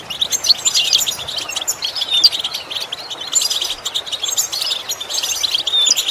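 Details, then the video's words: European goldfinch song used as a training lesson for imitation and song improvement: continuous bright twittering with thin piercing whistled notes scattered through, fairly dense and even in volume. "Training The Goldfinch To imitate Sounds Useful Lessons to improve Song"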